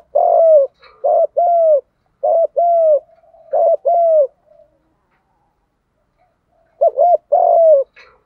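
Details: Spotted doves, male and female, cooing in the Đồng voice to urge newly caught birds into full cooing; low hooked double notes followed by sustained falling coos, four phrases, a silent stretch, then another phrase.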